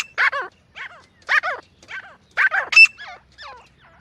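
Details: Grey francolin, described as a female, calling in a jungle setting, recorded as a hunting lure: harsh, harmonic, downward-curving notes in short bursts with gaps, plus a thin high tonal squeak near the end.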